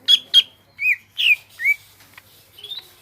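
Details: Greater green leafbird (cucak ijo) giving a few loud varied notes: two sharp whistled chips, then slurred descending whistles and a soft rising phrase at the end.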